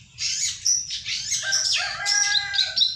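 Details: Ciwah singing as a lure or master bird: a dense, hurried stream of high twittering and whistled notes, with a lower warbled phrase in the middle and a steady low hum underneath.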